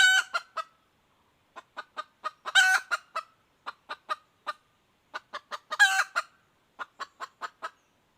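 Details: Wild female red junglefowl giving repeated calls: harsh, raspy squawks, each followed by strings of short, clipped clucks, with the pattern recurring several times over about eight seconds. No other sounds.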